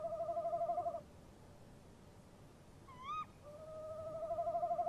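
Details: A pair of tawny owls trade calls at a nest box at 03:07 on 23 March 2015, the male opening and the female answering: a long, steady, quavering mid-pitched trill, broken by a sharp rising-and-falling 'ke-wick', then the trill resumes.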